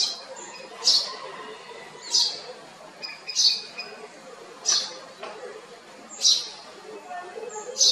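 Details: Repeated bright cheeps of a house sparrow in Kotte, Colombo District, Sri Lanka: about seven short, high notes across eight seconds, unevenly spaced, with a soft background hiss.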